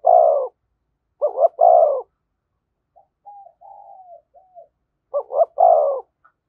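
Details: A spotted dove near a decoy gives 'thúc gù' coos: a long coo, then a double coo with a held note. Faint soft whistled notes fill a gap before another double coo and long note.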